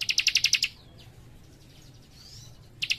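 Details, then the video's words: Young leaf warbler (cikrak) singing in rapid-fire, tight bursts: seven high, sharp ticking notes in quick even succession, a pause with faint thin whistles, then another fast burst starting, low steady hum behind. "Cikris Muda Gacor Nembak Rapat"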